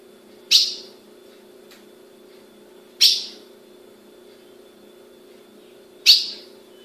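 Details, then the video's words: Female ultramarine grosbeak kept in captivity in Brazil, calling with three abrupt, bright chips spaced about two to three seconds apart against a constant low hum. "Fêmea de azulão piando"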